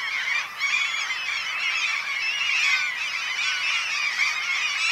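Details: A noisy spring colony of wild Black-legged Kittiwakes on islands off Norway's Møre and Romsdal coast, mid-May. Numerous overlapping strident, wavering calls form a constant wall of sound that swells slightly near the middle.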